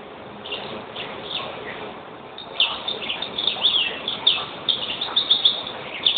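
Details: Quiet at first, then a European greenfinch breaks into fast, high twittering phrases that grow louder and denser through the second half, with faint background noise.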